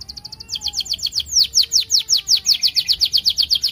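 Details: Canary in long, excited song used to spark other canaries: rapid chattering high notes build into even, pulsing falling whistles repeated several times a second, with faint lower tones beneath.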